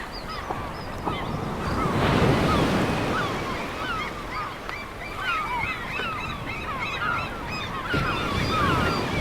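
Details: Several gulls call at once on a beach with crashing waves: a busy chorus of short, yelping, downslurred cries in quick, overlapping series, over steady surf and wind.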